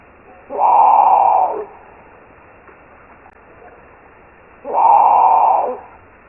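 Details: Great Potoo, a bird of South and Central America, giving two harsh, guttural roars, each about a second long and spaced four seconds apart, over a faint background hiss.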